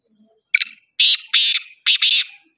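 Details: Black francolin of the Kohat type: one short harsh note, then three loud, grating, buzzy bursts about half a second apart, each rasping and high-pitched, over a quiet background.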